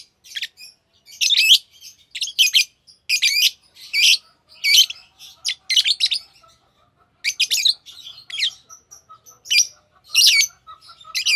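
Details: Green Fischer's lovebird, a pair, a type known for long-duration songs used in Indonesian bird song competitions; bursts of sharp, high chirps and twittering notes in short clusters with brief pauses between them.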